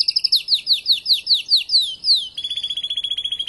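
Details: Spanish timbrado canary, a tutor and breeder, singing after moulting: a series of quick descending whistled slurs, one long falling glide, then a fast, level metallic trill to the end.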